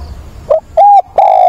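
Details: Spotted dove cooing to find a mate: a short low note followed by two drawn-out steady coos, the last one longest.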